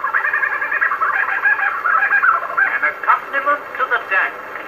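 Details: Lyrebird singing in Sherbrook Forest, Victoria, Australia, on an early disc recording: a continuous run of rich warbled and chattering phrases, pitched mid-range and varying quickly, over steady record hiss.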